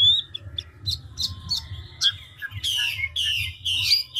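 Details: Chinese hwamei, an old wild-caught bird in ngũ trường style, rapidly changing its voice: scattered short chips and a thin whistle, then a run of loud, harsh, falling sweeps over a constant low hum.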